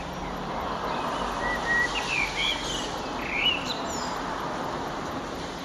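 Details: Eurasian blackbird singing at sunset on 9 June 2011, with an eastern sky: a few whistled, warbling phrases, some rising and some falling, over a steady background hiss and a low hum.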